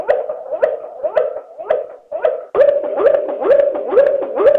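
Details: Waterslager canary klokkende song played slowed down. Deep, clucking notes swoop upward and repeat at a brisk, slightly uneven pace, with a brief break partway before the series resumes louder.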